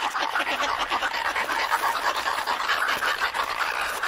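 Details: Antarctic petrels, a pair calling to each other in a colony at Scullin Monolith, Antarctica, close up: harsh, throaty cackling pulses, rapid and uneven, about three a second, filling the clip.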